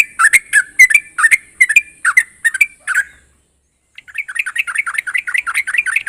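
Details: Trucuk (Yellow-vented Bulbul) singing a song that other trucuk birds reply to: spaced, loud bubbly notes for three seconds, a brief silence, then a softer fast string of repeated chirps.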